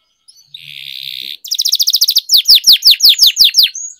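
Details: Canary song for training other canaries: a steady buzzy note, then a fast rattling trill, then loud down-slurred whistled notes repeated about three per second, with faint clicks underneath.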